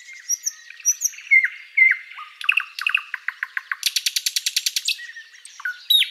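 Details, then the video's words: Thrush nightingale, spring forest at sunrise, gives clear whistled notes, then a quickening series of chirps leading into a loud, rapid rattling trill and a final downward whistle. "Bird sounds Nightingale chirping and singing"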